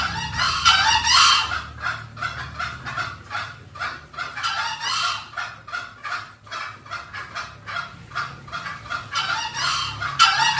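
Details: Green junglefowl lure call for drawing wild birds closer: a quick run of short harsh clucking notes, about two to three per second, with a louder rasping burst near the start.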